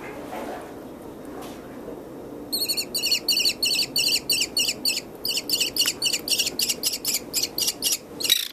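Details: Orphaned fluffy baby American kestrel in a wildlife rehabilitation hospital with its adult male foster kestrel. After quiet rustling, a fast chain of high, strident notes starts, repeating around four times a second to the end.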